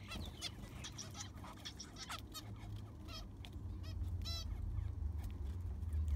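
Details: Aviary zebra finches, recorded as their sand is replaced: clipped honking beeps and quick chirps from a group, irregular and overlapping, over a constant low rumble of cleaning noise.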